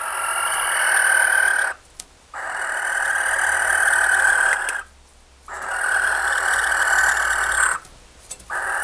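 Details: A small captive barn owl demands food with long, harsh, breathy snoring hisses, each about two seconds, repeated after short pauses. These are begging calls.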